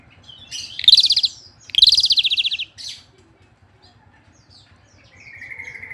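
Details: Asian pied starling singing energetically: two loud harsh buzzy bursts with a short rasp after, a quiet pause, then a steady thin whistled note; low hum in the background.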